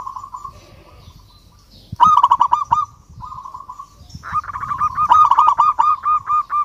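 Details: Local zebra dove calling a rival: rolling, pulsed cooing held near one pitch, with softer steady coos alternating with loud, stuttering rapid bursts.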